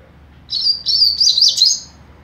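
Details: Young double-collared seedeater in mateiro song: a high phrase of about a second and a half, with sustained whistles running into quick warbled, twittering notes.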